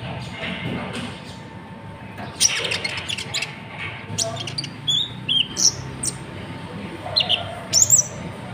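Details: A Natuna konin used for tutoring other cage birds produces irregular high-pitched tweets, squeaky slurs and sparse sharp notes over a low steady hum.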